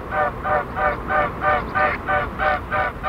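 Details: Three mute swans fly past, their wings throbbing in a steady, musical whooshing, about three beats a second, each beat a rich humming pulse; a snipe calls in the background.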